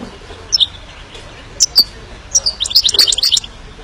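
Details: Himalayan goldfinch with a few isolated high chirps leading into a jumbled, rapid twittering phrase of bright, varied notes.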